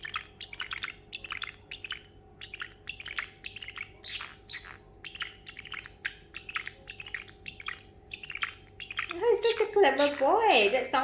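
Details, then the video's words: Male pet parrotlet in high spirits after treats, imitating sounds and making water noises; quick, scratchy high chirps run steadily for several seconds, then a woman's voice rises and falls near the end. "the parrotlet making water sounds"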